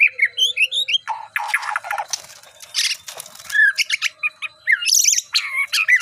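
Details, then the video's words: A white-rumped shama in readiness for a song contest pours out a varied mix of quick whistled notes, harsh grating bursts and twisting high phrases, almost continuous with brief gaps. "Murai sudah mulai siap di lombah"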